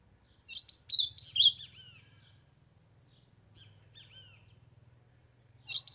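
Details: An Ultramarine grosbeak warms up with one rapid phrase of bright, slurred notes ending in softer descending trills, a few faint notes after a pause, then the start of another phrase over a low hum.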